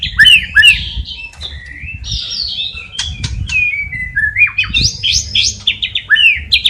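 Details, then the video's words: Energetic white-rumped shama song holding copied sparrow, fighting lovebird and kapas tembak calls: varied sliding whistles, up-slurred and down-slurred, strung together quickly over a low background hum. "Murai Batu Gacor Isian Gereja Tarung Love Bird Kapas Tembak Cililin"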